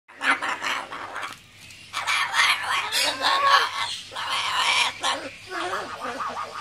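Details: Macaw giving raspy, buzzing, broadband bursts likened to a dot matrix printer, in rattling runs of about one to one and a half seconds separated by brief pauses, with a steady low hum underneath.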